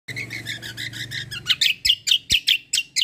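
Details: White-eye singing a 'kombo' style song, a fighter bird in full voice, offered as tutor material for training other birds: high, sharp chirped notes repeated rapidly, growing louder and more clipped after halfway, over a low steady hum.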